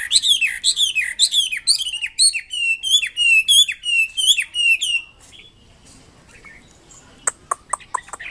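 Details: Lively wambi kembang mandarin song: fast series of bright, down-swept whistled notes for five seconds, then near silence with a few sharp ticks and short high chips.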